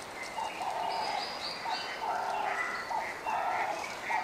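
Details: Male Montserrat oriole on Montserrat, Lesser Antilles, giving short, mellow whistled phrases about once a second, with higher thin chirps and whistles from other birds overlapping.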